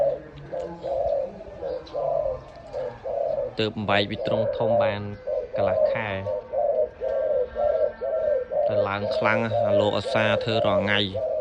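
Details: Repeated mellow coos, about one per second, from a single loud dove offered for sale, with a man's commentary breaking in at intervals indoors.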